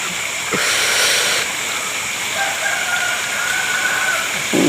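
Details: A rooster crows out of the dark during a night-time exploration, a drawn-out tonal crow over steady rushing water noise, with a brief thump near the end.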